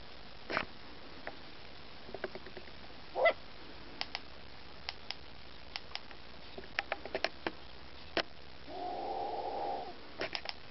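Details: Long-eared owl chicks in Askania-Nova, alarmed by an approaching ornithologist, make sharp, scattered bill snaps, a brief rising squeak, and a rough hiss near the end; their bill-clicking and cries drew the parents in.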